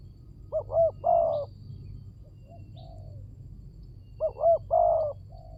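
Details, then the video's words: ['Spotted dove lure sound: two mellow coo phrases separated by a long pause, each a quick double note ending in a longer coo, over steady low background noise.'] "Pancingan burung tekukur"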